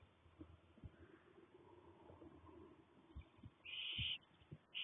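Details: Young barn owl chicks, six owlets looking fairly newly hatched with little fluff, filmed in daylight on 1 May 2020, give harsh, breathy hisses, one lasting about half a second and another starting just after, over soft thumps and rustling.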